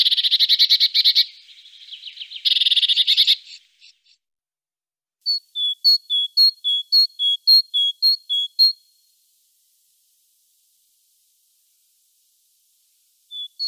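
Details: Great tit (Parus major) singing: two harsh, buzzy churring bursts open the recording, followed after a pause by a fast run of high, clipped two-note phrases, then silence with one faint note at the end.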